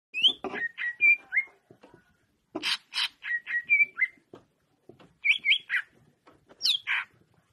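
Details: Greater green leafbird singing in short bursts of clear whistled notes, some slurred up and down, mixed with harsh scratchy notes, with brief pauses between groups.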